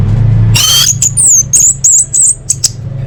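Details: Orange-headed thrush song for training birds: a brief harsh rasping burst, followed by a string of thin, very high whistled notes that waver up and down in quick succession, with a low hum beneath.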